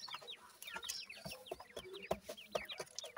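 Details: Steady high peeping from five captive Black francolin chicks at 26 days old, three female and two male: brief descending whistled chirps repeated rapidly by several birds, mixed with sharp tapping clicks.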